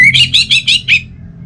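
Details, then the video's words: Rapid phrase of orange-headed thrush song, a lure recording from North Bali: five quick, buzzy, slurred whistled notes in one second, fading out. "ANIS Merah Dirumah Pasti Bunyi Dengar Pancingan Kicauan Burung ini"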